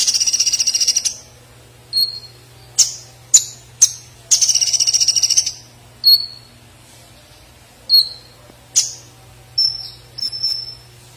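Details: Olive-backed sunbird (konin) in lively gacor singing, its song filled with platuk sampit phrases, used as a tutor recording for contest birds: a rapid buzzy trill, then sharp high chirps and short thin whistled notes spaced about a second apart, over a low steady hum.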